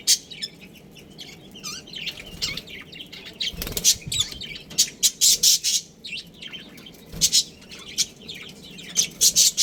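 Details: Budgerigar colony with a breeding pair kept as pets: continuous high warbling chatter broken by loud, clipped chirps that grow denser toward the end, with a couple of low thumps.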